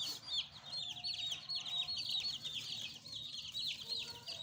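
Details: Several pet chicks peep in a dense, high-pitched chatter of quick falling chirps with some soft background noise.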